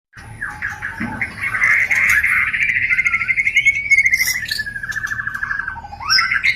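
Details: White-rumped shama sound used as a lure to stimulate mating; a long trilled, rattling phrase held around a steady mid pitch, slowly falling, ending in rising whistled notes, with faint insect buzz beneath.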